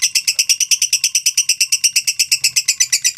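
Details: Lovebird ngekek, a long trill for training and prompting other lovebirds to sing: rapid harsh chattering notes repeated about eight times a second, steady and unbroken, bright and high, with a faint low hum behind.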